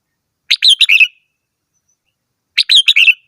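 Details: Red-whiskered bulbul singing two short bright warbled phrases, each a quick run of four or five chirpy, slightly falling notes, about two seconds apart against a silent background.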